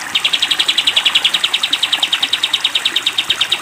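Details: Sooty-headed bulbul cage-bird training recording with a long burst: a fast trill of bright, evenly spaced notes, about eight per second, held steadily for nearly four seconds, with faint background hiss.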